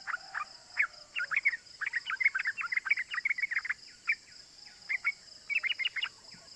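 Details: Yellow-vented bulbul in lively 'gacor ropel' style, used as a lure to excite other bulbuls. Short bubbly 'cuk cuk' chirps come in quick uneven bursts, with pauses near four and five seconds and a steady high hiss behind.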